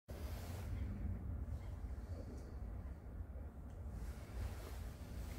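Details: No animal voice is heard, only a steady low rumble of wind and water-like noise filling the low range throughout.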